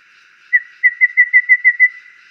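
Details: Golden babbler giving a short series of seven clear whistled notes on one steady pitch. The notes are evenly spaced at a relaxed, repetitive tempo, with a quiet background and nothing else heard.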